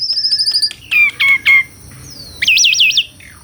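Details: Captive Asian pied starling (jalak suren) song: a rapid pulsed whistle, three loud descending slurred notes, then a wavering trilled whistle.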